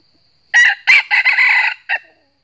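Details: Wild red junglefowl of the north, drawn to a trap and crowing fiercely in a fighting challenge at a decoy bird: one harsh, broken crow of several rough segments, about one and a half seconds long, with a short final note and quiet surroundings.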